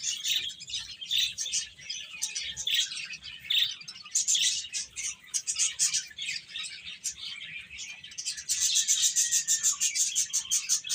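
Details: A group of baby chickens eating and playing, continuous bright peeps that quicken into rapid, closely spaced chirps after eight seconds, with a soft low hum behind.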